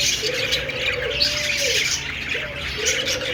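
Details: Budgies chattering as a group, a continuous bright twitter and chirp high in pitch, while a low cooing phrase sounds twice beneath them.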